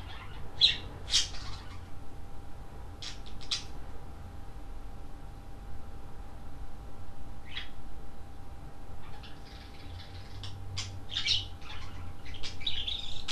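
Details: Two pet budgerigars socializing together on the floor indoors, giving scattered short, scratchy chirps and squawks over a low indoor hum.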